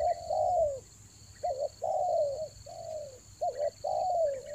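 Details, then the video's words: Spotted dove lure call, Toba style, for the rainy season: long falling coos alternating with short clipped double notes, about six phrases, over a continuous high-pitched hum. "TEKUKUR PIKAT RAJA ANGGUK"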